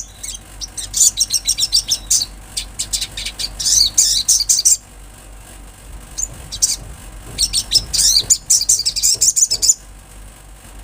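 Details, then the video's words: Lively natural song of an olive-backed sunbird: repeated bursts of fast, very high, buzzy twittering chirps separated by short gaps, with a quiet stretch midway before another excited chattering phrase. "Sogon gacor suara Asli Alam"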